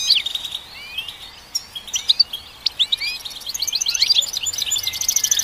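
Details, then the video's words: Goldfinch song: fast, twittering run of high chirps, trills and short buzzy notes with frequent pitch jumps, growing denser and more rapid toward the end; no other clear sounds. "Goldfinch Song"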